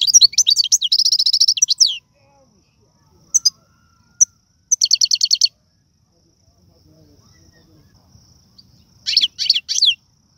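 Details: Algerian goldfinch performing rare tiwawati galoubi and sarfati song: a long fast metallic trill of evenly repeated high notes, brief chips, another rapid rattling trill, a pause, then three loud sweeping chirps.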